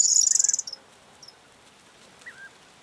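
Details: The tail of a Corn bunting song, 4 June 2022: a dense, shimmering high jangle that breaks off into a few separate ticks, followed by quiet with two soft, lower slurred calls from another bird.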